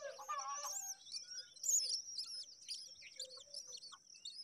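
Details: Myna nestlings calling during a feeding: rasping notes at first, then a string of high, thin, downslurred squeaks over a continuous shrill background drone.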